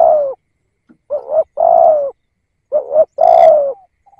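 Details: Decoy spotted dove calling to draw in wild doves. Mellow coos come in close pairs, a brief wavering coo then a long falling one. The pattern repeats about every one and a half seconds in a quiet setting.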